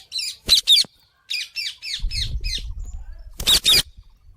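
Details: Parrot, possibly an Indian ringneck, giving harsh high squawks in short bursts, with a run of quick rasping chirps in the middle and a low rumble of background noise.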